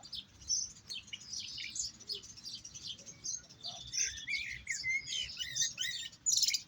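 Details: European goldfinch tutored in the Jahmoumia style sings during a singing session: dense, high, rapid twittering with buzzy chirps and a few clear whistled slurs, lively and continuous.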